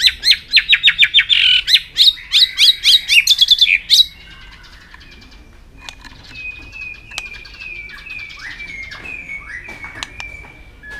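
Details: White-rumped shama giving an aggressive display song to stimulate other birds: a fast, loud rattle of high notes for four seconds, then softer, drawn-out whistled phrases gliding at one pitch.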